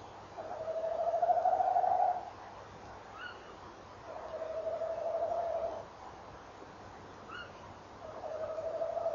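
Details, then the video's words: Male tawny owl rolling at 06:45 on 18 November 2013 while the female answers. Three long, even, tremulous hooting trills of about two seconds each, separated by pauses, with faint short higher calls from the female between them. "bosuil M rolt V antwoordt"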